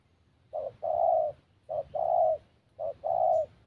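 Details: A spotted dove (Spilopelia chinensis) gives three soft, low coos, each a short note followed by a longer rolling one, repeated about every second, with a faint low hum behind.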